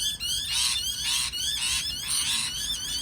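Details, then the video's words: Continuous parrot chatter: whistled, wavering tones running under rough, scratchy bursts that pulse about twice per second, with no clear breaks. "美丽的鹦鹉鸣叫beautiful parrot chirping sound call"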